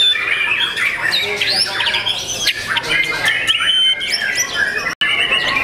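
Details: Singing young white-rumped shama in a cage: tumbling sequences of whistled slides and squeaky chips, varied and unbroken, with a very short dropout near the end.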